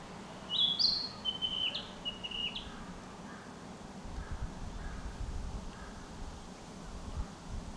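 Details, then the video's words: Narcissus flycatcher singing in a forest in spring: a short phrase of clear whistled notes around the first three seconds, high and partly stepped, then only faint distant calls over low background rumble. "Narcissus flycatcher"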